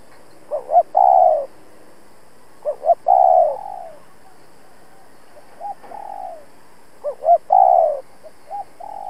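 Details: Spotted dove decoy bird cooing to provoke rival males, used for trapping; three phrases, each two short rising coos followed by a long, slightly falling, purring coo, repeated roughly every three seconds, with quiet background.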